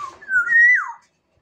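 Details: Black-naped oriole from Sumbawa gives one rich, fluid whistled phrase: a short low note, then a sweeping slur that rises, holds a clear bright tone, and drops away, lasting under a second, with near silence after.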